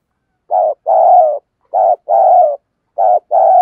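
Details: Caged decoy dove giving a coaxing coo, "thúc gù", to lure wild doves: three paired phrases, a short low coo then a longer, even, slightly falling coo, about a second apart, in otherwise quiet surroundings.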